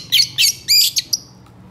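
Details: Long-tailed shrike (pentet, cendet) in vigorous, excited song of the long-burst style. Here it gives three harsh, buzzy high bursts, then two short sharp chips, against a quiet background.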